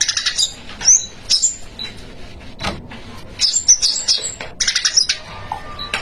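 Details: Spiderhunter in busy 'gacor' song with 'isian' material: clustered bursts of very high, sharp chirps and thin whistles separated by short pauses, with an occasional low thump.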